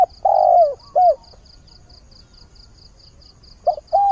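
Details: Spotted dove decoy calling to find a mate as the day begins: a long low coo falling away, a shorter hooked note, a quiet gap, then two more coos starting a new phrase, over steady high ticks.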